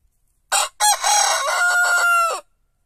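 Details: A white rooster crows: two short harsh opening syllables, then a long drawn-out note that turns into a clear, steady tone before it drops off sharply, about two seconds in all, against a silent background.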